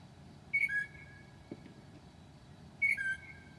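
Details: A Northern mockingbird imitating other birds at 2 a.m.: two paired whistles, a high note falling to a lower one, about two seconds apart, against a steady low hum.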